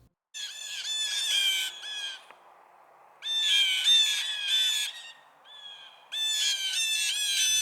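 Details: Blue Jays in nesting season, when the males pick on each other, raise a ruckus: a harsh, raspy squall in three noisy bursts about a second long each, coming every three seconds or so.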